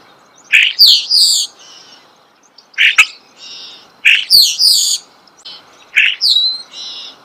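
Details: Starling song heard close: sharp clicks and high, screechy, descending notes grouped into phrases repeated roughly every one and a half seconds, separated by softer pauses.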